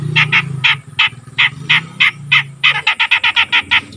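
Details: Black-headed bulbul, a young bird that has started singing regularly: a rapid series of short, rich notes in bursts, about three per second, speeding up toward the end, with a low steady hum underneath.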